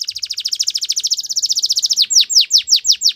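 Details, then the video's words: Belgian canary singing: a fast trill of rapid high notes, then slower repeated down-slurred whistles about every quarter second, all high-pitched and clear. "Belgian Canary Singing"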